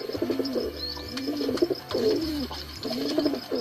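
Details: Pigeon, one of many nesting on a balcony, gives low, throaty, rolling coos, gloomy-sounding, in short bursts about every second, with a faint hum in the background.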